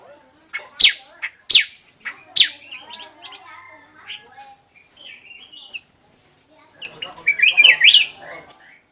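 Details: Black-crested bulbul song used as a decoy to lure birds. Three sharp high chirps open, followed by thin whistled notes and short warbled phrases, then a loud, rapidly wavering whistled phrase near the end.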